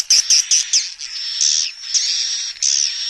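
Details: Swiftlet calling and roosting sounds made in stereo to attract swiftlets: shrill, high chirps and twittering buzzes, first in quick separate bursts, then merging into a continuous, dense chattering.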